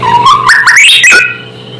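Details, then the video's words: White-rumped shama singing to rouse rival shamas: a clear whistle climbing stepwise through several linked notes, ending in a quick downward flick, with a constant low hum underneath. "Suara asli murai membuat murai lain langsung emosi"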